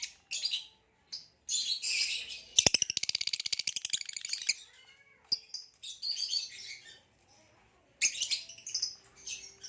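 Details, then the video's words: Captive green hybrid male lovebird and Nyasa lovebird singing: bursts of harsh, high chattering with a rapid buzzy rattle near the middle, then scratchy squeaks and chirps broken by short pauses. "Green Hybrid and Lilianae Nyasa Lovebird Singing & Chirping Sounds"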